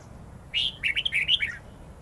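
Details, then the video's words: Forest-style song of a red-whiskered bulbul, with long twisting notes used to tutor young white-cheeked birds: a sustained opening whistle, then a rapid, looping series of warbled notes, the last one falling lower. "Chào mào hót giọng rừng âm dài xoắn cực hay/Dùng luyện chào mào non,má trắng học giọng rừng"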